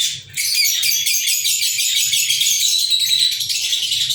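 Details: Lovebirds kept at home, recorded on 14 February 2023, giving a dense, continuous high-pitched chattering of rapid shrill chirps without pause.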